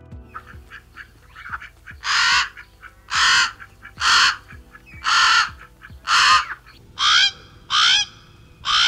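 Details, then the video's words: Hawaiian crow, a species extinct in the wild and kept in breeding centres, giving loud, harsh, drawn-out caws, roughly one per second, some with a rising, nasal edge; softer chattering notes fill the gaps. "Estos son algunos de los sonidos del cuervo hawaiano."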